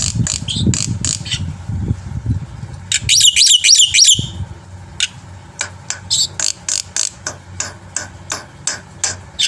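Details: Black-winged myna in full, varied song, used as a master recording to draw other birds into song: harsh rasping bursts, a dense run of buzzy chevron notes near the middle, then quick sharp chips repeated rapidly.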